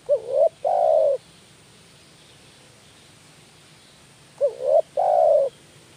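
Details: Spotted dove lure call played to excite other doves: a short rising hooked note, then a long steady croon, given twice with a silent gap of about three seconds between.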